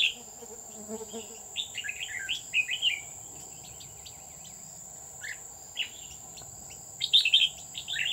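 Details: Red-whiskered bulbul at a trapping site on Núi An Phú near Chùa Hương, 20 October 2019. Several lively whistled phrases with quick up-and-down notes are separated by pauses, and a steady high-pitched insect drone runs throughout.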